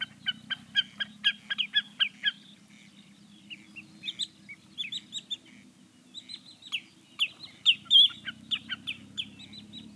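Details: Common snipe calling, a rapid run of short, sharp clicking notes repeated several times a second in bursts, pausing midway then resuming; steady low hum underneath.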